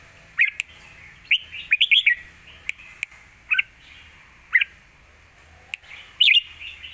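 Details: Fierce Lak Wai song from a caged red-whiskered bulbul, a master recording meant to teach young birds; short, bright, warbled whistle phrases, some doubled, separated by pauses of one to two seconds, with faint clicks between.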